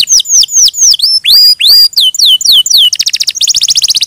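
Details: Singing canary: a series of loud, ringing whistles swooping downward, each roughly a quarter second long, then a sudden switch to a very fast, dry, buzzy trill.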